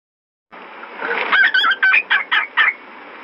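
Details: An albino fawn pied cockatiel gives a quick run of six harsh, chirpy calls, about four a second, with a brief whistled note among them over a low hiss.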